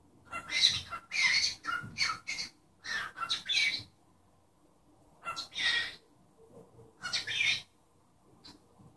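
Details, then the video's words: Caged cockatiel chattering as it talks and copies its owner's sneeze, with rapid runs of scratchy, broadband syllables in uneven clusters separated by short quiet gaps, ending in a hissing double burst. "Calopsita falando e espirrando"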